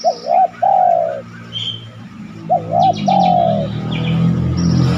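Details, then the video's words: Spotted dove cooing as a lure for other doves: two phrases of wavy double notes and a long falling coo, with high chirps from other birds and a rising low rumble of background noise. "tekukur mana yang ga tergoda bunyi manggung..pancingan anggungan terbaik."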